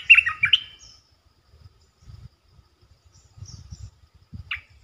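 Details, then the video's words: Red-eyed bulbul territory holder calling: a fast cluster of warbled notes at the start, quiet low rustling, then one short note near the end. "เสียงนกกรงตาแดงEp.219 จ้าวหยกสายเรียก!! เจ้าถิ่นมารำ Suara merbah belukar gacor"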